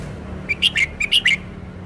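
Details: Red-whiskered bulbul displaying its song repertoire, a rapid run of six short, bright chirped notes with slight pitch bends, over a steady low hum.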